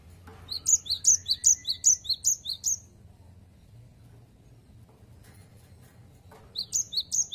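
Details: 'Wucit wucit' song of an actively singing cinereous tit, known locally as gelatik batu, suited to prompting other birds: a steady string of about ten high, piercing two-part whistles, silence, then the phrase resumes.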